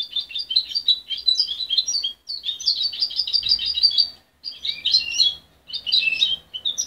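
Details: Young mother-reared goldfinch hybrid, removed at 23 days and still learning, sings lively high twittering phrases of rapid chirps and buzzy trills in three bursts separated by short silences, with faint low background rumble.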